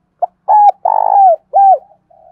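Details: Spotted dove cooing to provoke and lure other doves: a short clipped note, a steady coo, a long buzzy coo sliding down, then a falling coo, followed by a faint soft coo.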